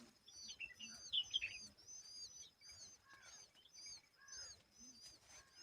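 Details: An Asian babbler cleaning bugs and protecting its young from them gives quick, high chirping notes, loudest in a short burst early on, over a steady shrill chorus of other birds or insects.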